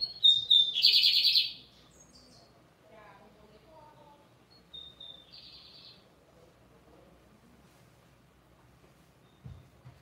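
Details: Lined seedeater delivers whistled notes and a loud buzzy burst at the start, then a faint, brief whistle-and-buzz phrase in near silence.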